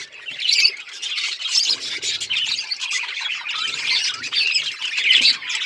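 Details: Pet budgies fill the air with nonstop shrill chirps and squawky warbles, many voices overlapping.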